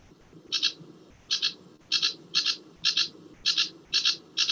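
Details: Sedge warbler song played back during a talk on summer migrants in Sussex; often sung from scrub near reeds and through the night. Short buzzy chattering bursts, mostly paired, repeat roughly every half second over a faint low background murmur.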